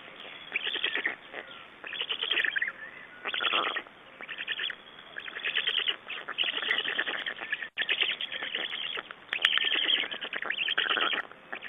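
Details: Black storks at a nest in Estonia, 6 June 2011, during adult exchange and feeding: repeated wheezy, rasping bursts of rapid pulses, separated by short quieter gaps, with a brief sharp click midway.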